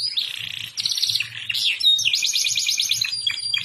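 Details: Canary song, described as suitable for tutoring young canaries: energetic, high and continuous, with buzzy rolls, rapid chattering trills and quick repeated notes, over a faint low background hum.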